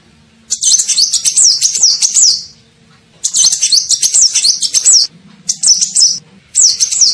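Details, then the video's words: Kolibri ninja (olive-backed sunbird) lure call for attracting birds: long bursts of shrill, fast twittering with rapidly rising and falling notes, then shorter chattering phrases after brief pauses. "SUARA PIKAT KOLIBRI NINJA"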